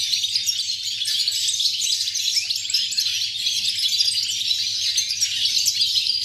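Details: European goldfinch, dated 8.11.2018: a dense, unbroken stream of high twittering and tinkling notes, bright and fast, with no pauses across the whole stretch and a faint low hum underneath.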